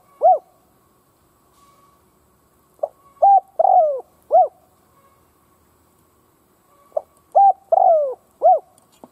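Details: Decoy spotted dove cooing to provoke other doves: two cooing phrases, each of several short hooting notes followed by a longer drawn-out coo and a final note, separated by a few seconds of near silence.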